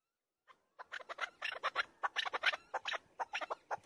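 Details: A chukar partridge gives a fast run of harsh, clucking chuk notes, several per second, building into a rattling chatter.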